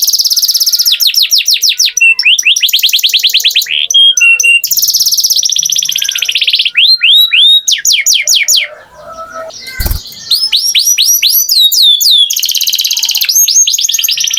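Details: Long canary song made of rapid trills and looping whistled notes changing tempo from phrase to phrase, with a brief softer gap and a sharp click near the middle.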